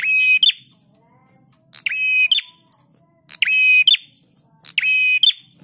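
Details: Prinia song for training caged birds. Four harsh, buzzing phrases come about every one and a half seconds. Each is a steady reedy rattle opened and closed by short sharp notes, with a quiet murmur behind.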